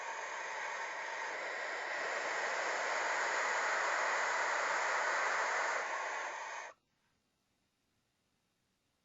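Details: Loud broadband hiss and static runs for almost seven seconds, then cuts off abruptly to near silence.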